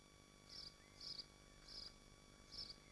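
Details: Nesting swifts at a nest site in Machynlleth, Dyfi Biosphere, on a community research livestream: four short, shrill, high bursts spaced roughly half a second apart over a steady electronic hum.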